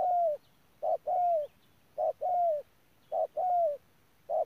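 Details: Ground decoy spotted dove at Đức Cơ, November 2018, cooing loudly in a steady rhythm: a short clipped note followed by a longer, slightly falling hoot, the pair repeated about once a second over a quiet background.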